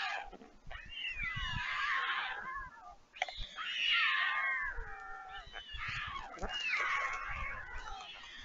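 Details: Young white storks at Leemansmolen, Vriezenveen, Netherlands, on 11 July 2022, returning to the nest after fledging as a parent arrives, begging for food. Harmonic, cat-like wailing calls that slide and waver, in long overlapping bursts with brief pauses.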